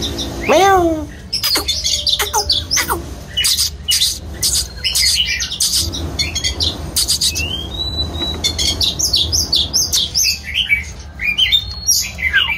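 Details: Singing and dancing Oriental magpie-robin gives a loud varied song: a deep swooping whistle, then fast twittering, buzzy trills, sharp clicks and clear falling slurs with little pause.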